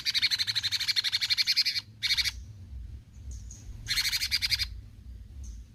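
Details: Cucak cungkok bulbul in lively besetan delivery, giving fast pulsed scratchy rattles: a long burst, a short one, then another after a pause, with faint high thin notes between.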